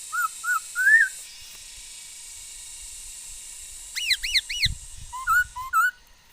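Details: Singing female laughingthrush, 13 August 2021, a bird noted for many kinds of sounds: three whistled notes with a rising slur, a pause, then quick arched chirps and more whistles over faint low rustling.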